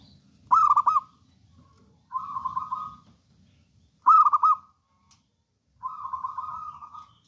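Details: Local wild-type zebra dove, kept as a bold, prolific singer for use as a master and lure bird, cooing in low, rolling phrases: two fast stuttered bursts alternating with two longer purring trills, about two seconds apart.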